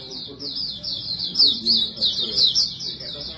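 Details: High, fast warbling from a white-breasted white-eye in continuous 'bocor' style, used as a lure for other birds. The notes flow in a tight wavering band with a few louder bright chirps.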